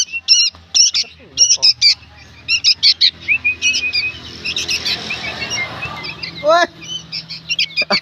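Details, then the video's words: Harsh, clipped chirps from young sooty-headed bulbuls come in short runs, broken by a stretch of rustling, flapping noise in the middle before the noisy calls resume. "SUARA BURUNG ANAKAN KUTILANG PALING RIBUT BERBUNYI"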